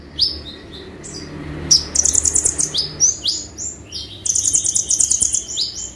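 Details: Vigorous konin song with sharp falling chips broken by two fast, dense, high buzzy trills, the bird singing energetically as a training recording for caged birds.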